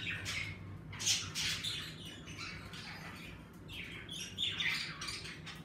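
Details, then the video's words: Pet budgies in an indoor bird room give softer, scattered warbles and chirps with a few brighter squeaks, over a persistent low hum. "Birds room streaming #budgies #parakeets #セキセイインコ"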